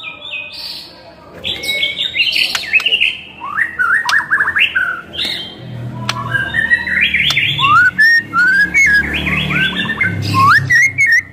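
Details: White-rumped shama in full, varied song, used as a lure and tutor to get other shamas singing: rich whistled phrases, rising sweeps and quick chattering notes tumbling one after another, over a faint low hum.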